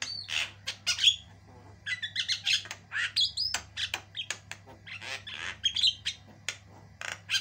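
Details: Energetic varied song of a white-eyed Javan myna, recorded as tutoring material: bursts of raspy chatter, clicks and sharp whistled notes tumbling one after another, with a steady low hum behind.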